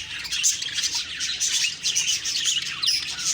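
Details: Budgies heard in the morning, chattering together in a constant high-pitched twitter of squeaks and short warbled phrases overlapping one another.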